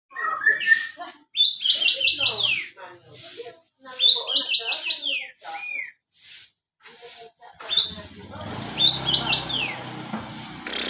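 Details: White-shouldered triller song: loud, high whistled phrases of quick stepped notes sliding downward, repeated about every two to three seconds, mixed with sharp chips and chatter; low background rumble toward the end.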